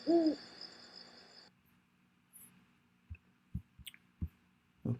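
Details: A Great Horned Owl giving begging squawks then switching to hoots, here a single deep, short hoot, followed by a high thin hiss and a few soft knocks and clicks.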